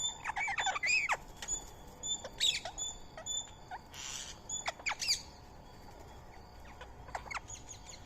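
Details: Feeding Indian ringneck parakeet sharing soaked rice and corn meal with a squirrel. Scratchy screeching notes with looping contours in the first half, one brief noisy rustle, then quieter scattered chips and a steady faint high tone.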